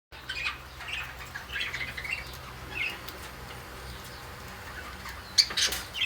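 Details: A male pet budgerigar chatters in soft, scratchy warbles and squeaks, with a few sharper chirps near the end.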